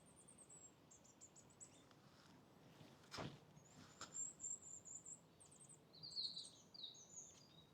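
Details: Goldcrest singing in a tree about seven or eight feet up in Southampton Old Cemetery on the evening of 17 August 2025: very high, thin, rhythmic phrases of quick repeated notes ending in a lower flourish, with soft knocks and faint hiss.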